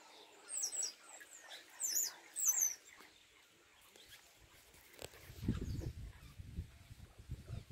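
A chopi blackbird gives three quick bursts of bright, high chirps and whistles in the first three seconds, followed by low rumbling wind noise.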